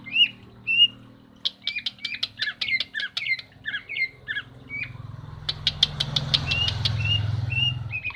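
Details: Female common iora calling, used to stimulate a male that has stopped singing; sharp whistled chirps mixed with quick clicking notes come in a dense run for about five seconds, then sparse whistles over a rising low rumble.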